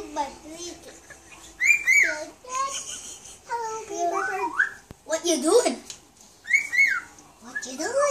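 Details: Pet cockatiel speaking to its owners for the first time, indoors: a chattering, babbling stream of speech-like syllables mixed with short whistled notes that rise and fall, with bursts of raspy high chatter in between.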